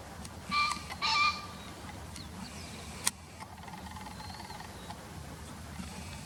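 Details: From a field-guide recording, a green pheasant utters two short, harsh, resonant notes in close succession at the start, followed by quiet background with a sharp click and faint thin sounds.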